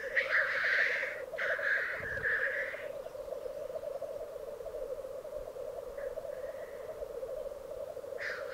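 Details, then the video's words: Black grouse displaying at a lek, a song arena in the Piedmont Alps of Italy: continuous low rapid bubbling rolls on while loud harsh hissing bursts break in near the start, again at six seconds and at the end. "Parate dei Galli Forcello"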